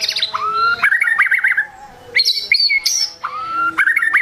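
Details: White-rumped shama song meant to provoke rival shamas: loud, varied phrases mixing clear rising whistles with rapid rattling trills, bright high notes and brief pauses between bursts.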